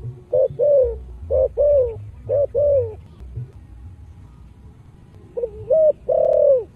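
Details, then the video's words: Spotted dove in the rustic 'giọng thổ' voice, singing the full chiêu-thúc-gù sequence used to stimulate other doves to sing: low, mellow coos in groups of two or three, a pause, then another short phrase. "Cu gáy giọng thổ đặc đủ bài chiêu - thúc - gù"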